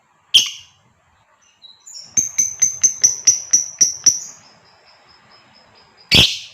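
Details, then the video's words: ["Female fighter lovebird calling to prompt a male's long chattering. One harsh shriek, then about nine quick sharp ticking notes in an even run, and another loud rasping shriek to close."] "SUARA LOVEBIRD FIGHTER BETINA,jitu merayu memangil Lovebird jantan agar bersuara ngekek panjang"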